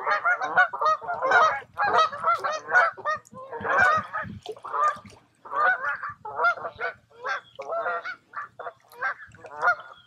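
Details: Several geese honk by a quiet forest lake in Tamiment, Pennsylvania, in July: a busy, overlapping string of nasal, raucous calls with only brief gaps.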